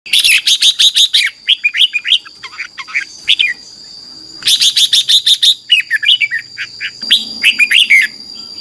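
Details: Red-whiskered bulbul morning song, played for training a wild-caught bird: two long bouts of rapid, bright chattering notes with warbled, slurred phrases between them, over a steady high whine.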